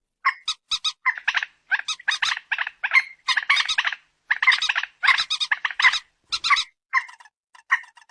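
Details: Phone recording of a common moorhen (peruk, mandar batu) uttering a busy stream of short, harsh nasal notes in irregular clusters.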